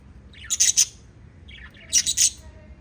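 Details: Five little lovebirds chirping together: two quick bursts of shrill, high chirps and squeaks, each a rapid cluster of three or four sharp notes, over a soft low background rumble.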